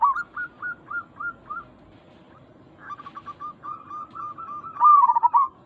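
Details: Zebra dove of local stock calling to prompt other zebra doves to answer: five spaced, slightly rising whistled notes, a pause, then a run of quick rolling notes ending in a loud trilled, warbling coo.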